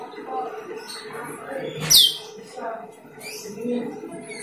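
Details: Lure recording of an Asian glossy starling: a single sharp, high note sliding quickly downward in the middle, surrounded by faint murmuring and soft rustling sounds.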